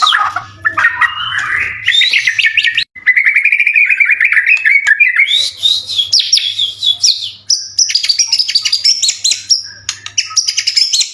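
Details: White-rumped shama in full song, played to provoke other shamas into singing back: continuous varied rapid phrases, rising chattering runs and high twittering trills, loud and unbroken for most of the recording.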